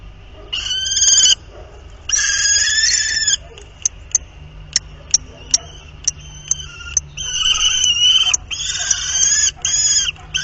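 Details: A pair of common kestrels at their nest on 31 March, during a day they copulated twice: loud, harsh, rapidly repeated shrill calls in bursts of about a second, separated by sharp clicks and knocks.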